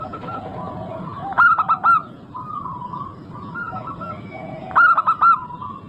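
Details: Vocal local zebra dove, used to stimulate other doves to sing: two quick bursts of four or five staccato coos, about three and a half seconds apart, above continuous soft cooing from other birds.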